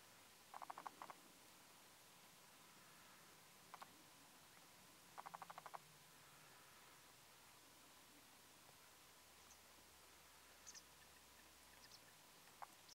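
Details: Feeding black-winged stilt at Mogan, Ankara, giving two short bursts of rapid, sharp, nasal kek notes, with a few scattered single notes against a quiet, faintly hissing background.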